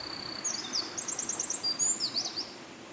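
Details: Eurasian wren singing at the Mount Komochi trailhead in Gunma Prefecture, Japan, in April 2022: a rapid, very high-pitched outpouring of thin trills and sharp zigzag notes, fast rattling runs packed into about three seconds, over a soft background hiss.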